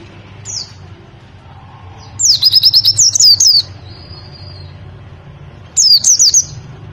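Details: White-eye (pleci) 'nembak' tutor song, meant to be played mornings during dewfall for training caged birds: two short bursts of rapid, high, zigzagging chirps over a steady low hum, with quiet gaps between.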